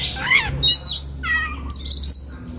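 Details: White-rumped shama in relaxed song for training young birds: a few well-separated whistled notes, arching and sliding, followed by a very high buzzy rattle and constant low hum.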